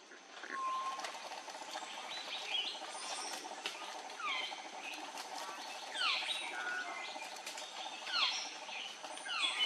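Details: Andaman bulbul on Andaman Island, India, in March 2020, calling repeatedly: bright down-slurred chirps in small bursts every second or two, mixed with faint clicks and a steady hiss.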